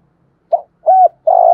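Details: Spotted dove, 'thổ pha' style, played to stimulate newly caught birds: a brief soft note, an arched coo, then the start of a sustained low coo.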